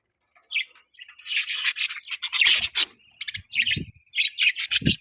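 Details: Budgerigar chatter: grating, scratchy warbles and chirps in dense bursts, with a few low knocks.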